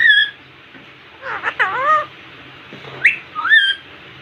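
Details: Indian ringneck parakeet speaking in a cute voice at a mirror: a high whistle, then a cluster of wavering, curving speech-like syllables, followed by rising whistled notes.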